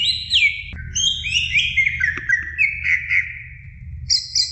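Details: Greater green leafbird singing a training song for other birds: a long run of clear whistled phrases, sliding notes and sweeping trills mixed with brief high chips, continuous and varied, over a low steady hum.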